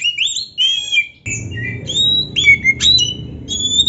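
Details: Kacer, an Oriental magpie-robin, singing steadily as a master to heat up other birds: clear, separate whistled notes and short slurs with small gaps, a low humming background starting partway through.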